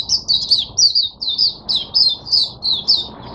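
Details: Caged Oriental white-eye opening its song on 5 May 2022, a steady sequence of loud, high, slurred chirps, roughly three a second, with no other sounds.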